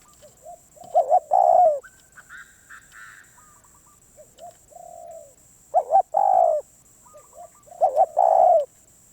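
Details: Spotted dove, described as a very stubborn wild bird, gives loud cooing phrases: two short quick coos, then a long, slightly falling croo, repeated three times. Softer, higher coos from another dove sound between the phrases, and a steady high electronic whine runs throughout.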